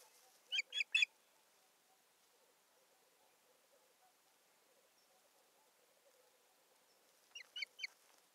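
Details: Osprey at a nest in Satakunta, Finland, 7 May 2019, while a stick is brought and arranged; a quick burst of three piercing whistled notes opens, then a long quiet stretch, then three more near the end.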